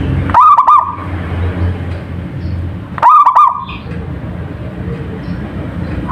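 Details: Local zebra dove singing actively: two short bursts of bubbly, trilled cooing about 2.5 seconds apart, each with a quick warbling run of notes that trails into a held tone, over a low background hum.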